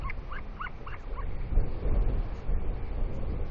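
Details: Royal albatross father on the nest feeding squid paste to his chick in heavy wind, producing unusual sounds as he regurgitates; four or five short, falling nasal notes in quick succession, then only wind roar.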